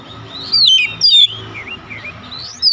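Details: Oriental magpie-robin calling a companion, with another answering. Two loud, sharply descending whistles land about half a second apart, softer sliding twitters run between them, and a final loud whistle cuts in at the end.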